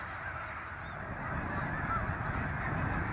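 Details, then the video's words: Snow geese in migration: a massed honking chorus that swells in loudness after the first second, a few clearer single yelps rising above the crowd, low rumble underneath. "Les oies des neiges en migration"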